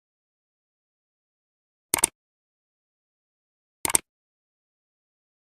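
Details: Near silence broken by two brief, sharp broadband clicks about two seconds apart, with no animal voice.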